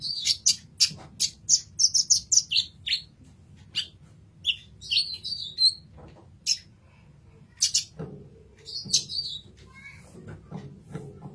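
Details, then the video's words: Sunbird known locally as kolibri ninja, recorded as tutor material for songbirds: bursts of high, thin twittering chips and short trills, pausing midway, then a few further notes with faint low knocks. "Kolibri Ninja Masteran"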